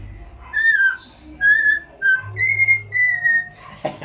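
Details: A happy cockatiel head dancing as it whistles a series of four or five clear tonal notes, some brief and some drawn out and level, ending in a faint knock.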